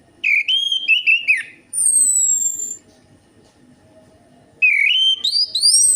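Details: Lure recording of orange-headed thrush song meant to get a reluctant bird singing: loud whistled phrases climbing in pitch with rapid notes, a thin descending whistle, then a pause before another rising phrase.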